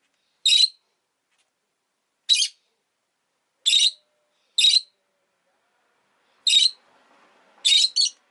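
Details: Piercing, raspy chirps from two rosy-faced lovebirds huddled at an entrance, given singly at irregular one- to two-second gaps, ending in a quick double; a brief soft rustle in between.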